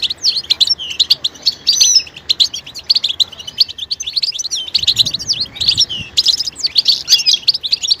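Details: European goldfinch mating calls in the betbeta style, played to make silent males sing: steady high-pitched twittering of short chirps and buzzes in rapid clusters, a brief lull around four seconds, then lively chatter resumes.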